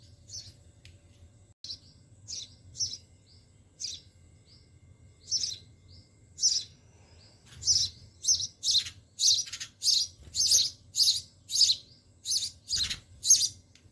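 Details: Sparrow chicks begging in their nest at a home garden as the mother brings food; sparse high chirps build into rapid, insistent repeated bursts, nearly two per second toward the end, with a low hum underneath.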